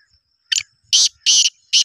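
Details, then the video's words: Black francolin in breeding condition calls a quick run of four loud, hoarse, scratchy notes, the middle two longest, against near silence. "Black teeter full mast //اتنی مستیاں کرنے کے باوجود اتنی تیز بولار"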